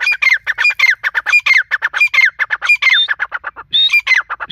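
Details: Female grey francolin, known locally as dakhni teetar, giving harsh, squawky notes in a fast, uneven string of about 88 per minute. Some notes slide downward, and there are a few higher rising squeals. No other clear sounds.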